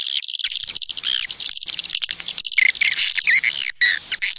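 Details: Swiftlets chatter almost without pause: dense, high, buzzy twitters and short rising chirps packed together with brief gaps, like a busy flock, with music in the background.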